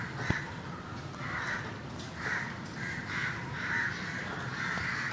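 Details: Crows cawing to call the rest of their community; harsh, grating caws come in a series, roughly one every half second to second, with a steady hiss and a single sharp click near the start.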